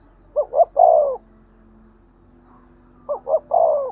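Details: Spotted dove 'thúc gù' coo, meant to rouse decoy doves. Two phrases about three seconds apart, each two brief notes and a longer, slowly dropping coo, with a faint low background hum.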